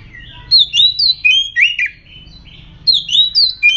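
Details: Aggressive oriental magpie-robin song, used as a lure to set other birds singing: loud, varied whistled phrases of slurred rising and falling notes in quick bursts, a short pause, then more rapid whistles.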